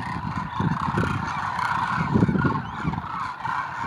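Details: Thousands of migratory Demoiselle cranes (Grus virgo) landing at a water hole in Khichan, Rajasthan, where grain is spread for them; continuous chorus of overlapping croaking, trumpeting flock calls over a low rumble.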